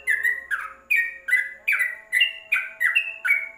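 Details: Yellow-vented bulbul singing from inside a covered cage, used as a tutor recording for training songbirds; bright slurred notes around mid-high pitch repeat about two to three times per second in an even chattering series, over a faint steady low hum.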